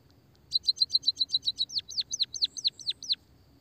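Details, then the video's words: Sparrows lured with this call: a quick run of about nine high chirps followed by seven louder descending, swooping notes, all in under three seconds, then quiet. "pancingan suara burung pipit emprit peking bondol kaji gacor kikikikikik...."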